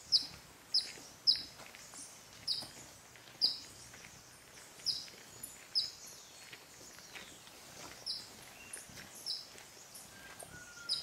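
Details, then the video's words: Golden-bellied Flycatcher (Myiodynastes hemichrysus minor) in Bellavista Cloud Forest Reserve, Ecuador, in May 2012, gives sharp, high, squeaky notes, singly or in quick pairs, at uneven intervals of about a second, over a soft hiss of forest background. "Tyran à ventre d'or (Myiodynastes hemichrysus minor) Golden-bellied Flycatcher"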